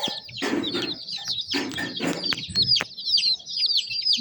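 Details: High chick peeps continue through repeated loud broadband scuffing and rustling bursts, with a few clicks; the chirping grows clearer and steadier toward the end.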